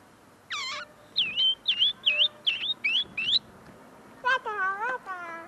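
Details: A tame linnet, still perfecting its song, delivers a row of six similar bent, twangy notes about three per second, bracketed by a person's voice at the start and end.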